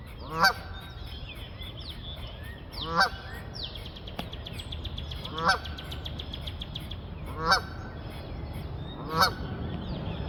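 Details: Geese on the wing calling with five loud nasal honks at irregular two-to-three-second gaps, accompanied by rapid high chirping series from other birds and a low rumbling background.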